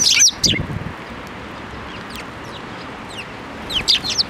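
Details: Sparrows being hand-fed at a Tenmangu shrine, May 7, 2024; a loud burst of high chirps opens, then a quiet stretch with faint distant twitters, and another short run of sharp chirps closes.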